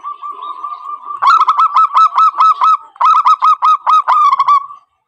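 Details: Zebra dove (perkutut) lure call used for trapping: a steady drawn-out tone, then two loud bursts of rapid hooked, nasal notes, about four per second, each burst cut short by a brief pause.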